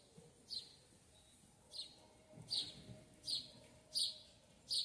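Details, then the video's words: Sayaca tanager in a backyard giving short, thin, high squeaky call notes, six in under five seconds at slightly uneven intervals, over a faint low background hum. "Sanhaçu cinzento no quintal"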